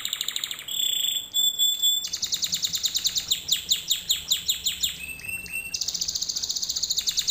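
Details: Canary performing a learning lesson for other canaries, delivering chains of fast repeated chirps, a held whistled note, then evenly spaced rolling trills at varying speeds, steady and loud throughout.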